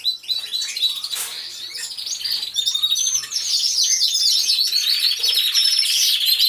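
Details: Canaries together in an aviary, recorded by a hidden camera, pour out overlapping high trills and twitters that grow fuller and louder across the clip into a steady, busy chorus.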